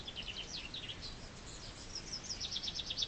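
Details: Spring chaffinch song, broken into quick high chirped notes at first, then a fast even run of bright repeated notes near the end, with steady background hiss throughout.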